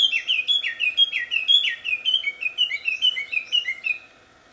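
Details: Wambi singing in the wild, its song described as melodious and loud: a fast run of clear whistled notes, each sliding downward, repeated about twice a second for four seconds before stopping, with no other sounds.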